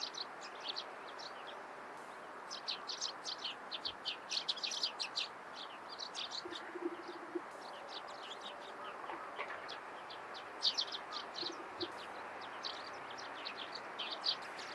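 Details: Morning chorus of Eurasian tree sparrows: many quick high chirps in irregular bursts over fifteen seconds, several birds overlapping, with a low steady background hum and a faint brief human sound.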